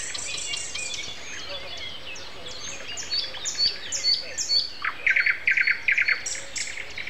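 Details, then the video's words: Common nightingale singing at 7:55 on an April 29 morning, amid a chorus of other birds; high thin descending whistles give way to a loud, rapid series of repeated pulsed notes near the end. "Morning concert. Nightingale and Со."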